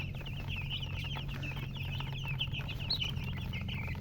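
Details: Chicken chicks chirping: rapid, high, thin peeps repeated many times a second without pause, over a steady low hum.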